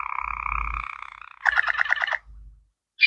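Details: Canary in water-style (sloger) song: a steady buzzy rolling tone lasting over a second, then a fast bubbling trill of repeated notes, a short pause, and a sharp bright note at the end.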